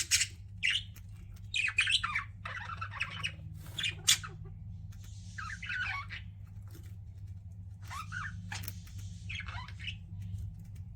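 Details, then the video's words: Budgies kept as pets chattering in varied scratchy warbles and sharp chirps, busy early and then softer, with longer murmuring phrases, steady low hum behind. "CUTE PET BUDGIES CHIRPING"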